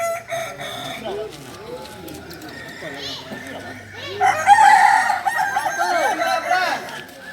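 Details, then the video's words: Kukuak Balenggek rooster, the singing chicken native to Solok, in performance training; faint calling at first, then a loud, harmonic crow of repeated arched syllables bursting in past the midpoint and carrying to the end. "Latihan prestasi Ayam kukuak balenggek ayam penyanyi asli Solok"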